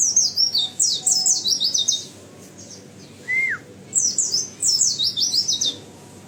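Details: A year-old captive-bred white-eye delivers two bursts of quick, piercing, jumbled chirps about two seconds each, separated by a lone lower downward-slurred whistle.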